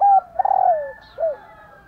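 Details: Calling female spotted dove, used to prompt males to coo: the tail of one coo, then a long wavering coo falling in pitch and a short rounded final note.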